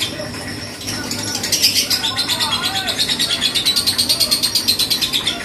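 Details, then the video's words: Three-month-old lovebird that has won several singing contests, delivering a fast, steady chattering trill of high, sharp pulses, several per second, building in strength over a busy, noisy background. "BURUNG LOVE BIRD PAUD GACOR"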